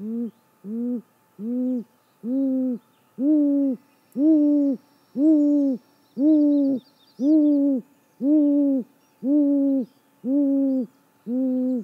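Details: Great grey owl female calling from the nest at dawn, 6:19 am, 28 May 2017, nest camera recording: a long steady series of twelve low, mellow hoots, one per second, each swelling and dropping slightly, with faint distant bird twitters.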